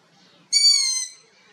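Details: A young long-eared owl in Abruzzo, Italy, gives a single high, squeaky call about half a second long, drawn out and falling slightly like a creaking gate, over a quiet background.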